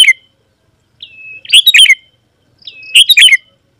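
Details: Vigorous sooty-headed bulbul song for drawing wild rivals to reply and come closer. Brief high whistles lead into rich, rollicking chatter bursts, heard two and a half times with short silences between.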